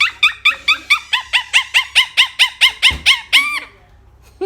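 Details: Blue Quaker parrot chattering to its companions with rapid rasping arched squawks, about three per second, ending in a longer drawn-out note, then one faint low call after a pause.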